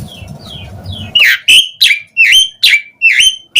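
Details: Asian pied starling song played to make other starlings answer: soft buzzy murmuring opens, then six loud whistled notes with falling tails, each roughly a third of a second apart.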